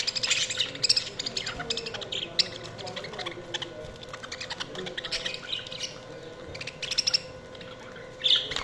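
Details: A group of budgies keeps up continuous scratchy chatter and rapid chirping, with occasional louder squeaky notes rising above the flock and an even background hum.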